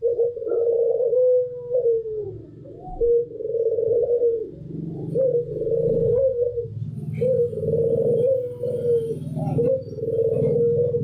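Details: Barbary doves, a white pelung bird with a local one, giving a near-continuous chain of drawn-out rolling coos, each swelling then fading, over a steady low droning background hum.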